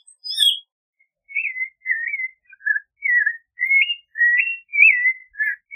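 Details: Clay-colored thrush singing paced, sweet whistled phrases, rising and falling slurs about twice a second, opened by a single thin high note.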